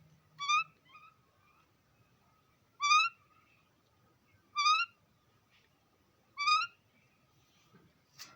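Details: Rose-ringed (ringneck) parakeet, a talking pet parrot, gives four short, nasal, rising utterances about two seconds apart, with a faint click at the end.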